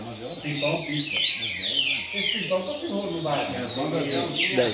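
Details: Double-collared seedeater keeping up its rain song at a singing circle, fast twittering and falling whistled phrases high above, mixed with men talking steadily throughout.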